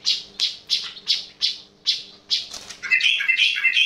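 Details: Sooty-headed bulbul giving an unusual sound: a series of harsh, buzzy chip notes repeated about three per second, then a quicker jumble of brighter chattering notes at the end, in quiet surroundings.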